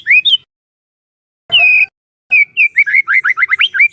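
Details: White-rumped shama trainer song: a rising slurred whistle, silence, a sharp buzzy note, then a rapid string of short repeated slurred notes.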